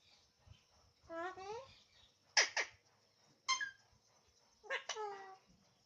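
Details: Alexandrine parakeet talking indoors, uttering speech-like syllables in several separate bursts, some rising and falling in pitch, with short gaps between phrases.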